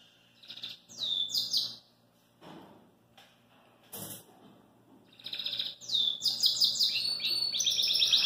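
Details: A Belgian canary outside its cage sings high, bright phrases of rapid trills and chirps, pausing briefly, then building into a continuous warbling run, with a faint indoor hum underneath.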